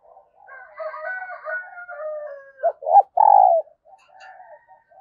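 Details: Spotted dove kept as a decoy, cooing early in the morning to lure wild doves. A harsher, harmonic wavering sound opens, followed by two short throaty notes and one loud, sustained low coo, then faint calls.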